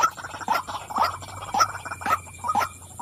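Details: Short burst from a female white-breasted waterhen: several croaking notes spaced about half a second apart, with softer chatter between them.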